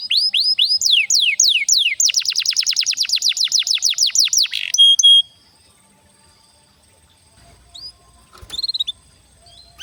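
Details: Canary lure song for training juvenile canaries and reviving silent singers: a long run of rapid downward-swept notes that speeds into a rattling series, a brief whistle, then near quiet with one faint sweep.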